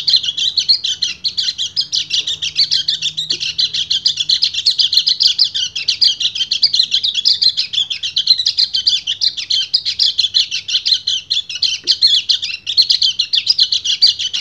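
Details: Male white-eye (kecial kuning) in breeding condition sings ngecir to draw a female: a sustained, very fast, high twittering chatter running without a break for the whole stretch.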